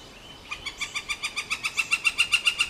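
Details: Northern flicker pair: a fast, steady series of strident, nasal notes, roughly a dozen in two seconds, each note a short harmonic bark, rising slightly in loudness toward the end; quiet background.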